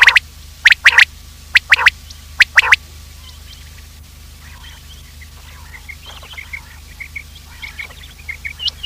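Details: Quail call used by hunters to lure quails, a morning recording: sharp three-note bursts repeated in the first three seconds, then only faint scattered chirps over a low steady hum.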